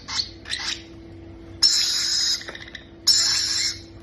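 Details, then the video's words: Two short soft rasping chirps are followed by two long, loud, hissing squawks of about three-quarters of a second each, as baby parrots are fed; a steady low hum runs throughout. "feeding babies parrot"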